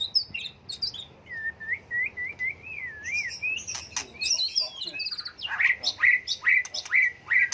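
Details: White-rumped shama with a varied, continuously changing song meant to goad birds into song contests; a wavering warbled whistle line, high jumbled notes, then sharp bright notes repeated about every half second.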